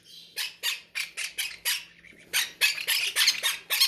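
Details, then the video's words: Captive parrots, hungry at feeding time, beg with a steady run of short, grating rasps, about three or four per second, growing louder and denser toward the end. "feeding our hungry drangon parrots"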